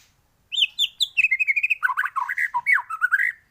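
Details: White-rumped shama singing a dense 'isian' variation meant for training other birds to sing. After a brief silence, a three-second run of clear whistles drops into lower, looping slurred notes delivered in rapid succession.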